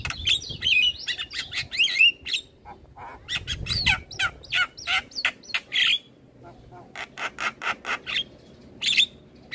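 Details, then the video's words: Asian pied starling song, a training recording for getting starlings to sing: bursts of sharp clicks and chatters alternating with whistled and buzzy notes, short pauses between phrases, low rumble in the background. "Masteran Jalak Kebo Terpopuler Tayang Setiap Hari Bikn Jalak Makin Gacor"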